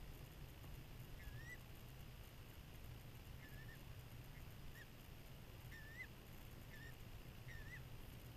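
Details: Adult female peregrine falcon at a nest site in New Jersey during spring, filmed by a motion-activated spy camera, no eggs or young present: half a dozen brief, hoarse, down-slurred calls spaced about a second apart beneath heavy steady noise.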